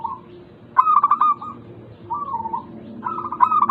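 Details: ['Zebra dove of the local type, song used to stir lazy doves into calling: two rhythmic bursts of quick staccato notes gliding into steady tones, separated by a softer falling coo.']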